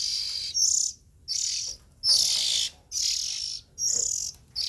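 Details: Harsh hissing cries from young Oriental magpie-robins, five drawn-out noisy rasps, each close to half a second, coming at irregular intervals with quiet gaps.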